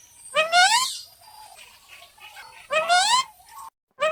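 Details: A Rose-ringed (ringneck) parakeet pair interacting affectionately gives two harsh, rising screeches about two seconds apart, each rich and grating, with a third call starting at the very end and a quiet murmur between.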